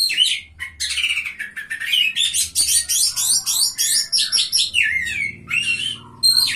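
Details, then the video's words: Oriental magpie-robin, a third-place winner at a bird singing contest, delivering a dense, continuous outpouring of chattering, buzzy high notes and varied whistles, barely pausing across several seconds. "KACER GACOR JUARA 3"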